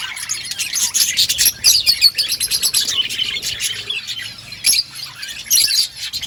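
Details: Budgerigar colony kept outdoors, a steady wash of bright, chattering chirps and warbled notes from many birds at once.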